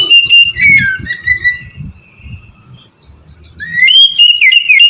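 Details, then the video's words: Oriental magpie-robin ngeplong song used as a lure: long drawn-out whistled notes gliding gently downward, a quiet pause with low rumbling, then a fresh run of rising, warbled whistles. "suara burung kacer ngeplong merdu sangat ampuh buat pancingan kacer bahan bikin cepat gacor"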